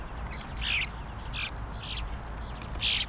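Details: Bluebird fledgling begging for food with four short, rough, buzzy squawks spaced unevenly across a few seconds, the last one loudest.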